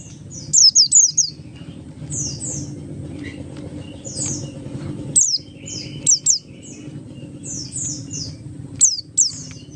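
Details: Buxtoni Oriental white-eye in ngalas song, a lure for other white-eyes: clusters of high, falling whistles, some crisp and some softer, repeated through the stretch over steady low background noise.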